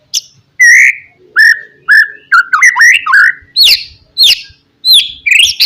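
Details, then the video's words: Provocative lure song of a white-rumped shama meant to excite rivals: separate loud whistled notes that alternate with clusters of short, sharp, high calls, each phrase spaced by brief silences. "SUARA BURUNG MURAI BATU, PANCINGAN MURAI BATU PASTOL NGOTOT MEMBANGKITKAN EMOSI LAWAN"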